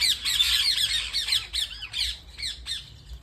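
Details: Parrots calling at home: a rapid series of harsh, rasping squawks with arching, sweeping notes, repeated about two or three times a second and fading slightly toward the end, over a faint low hum.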